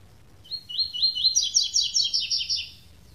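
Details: A double-collared seedeater gives its classic tui-tui song without the third note. Short rising whistled phrases run into a quick repeated string of bright, buzzy notes that slide downward. Little else is heard.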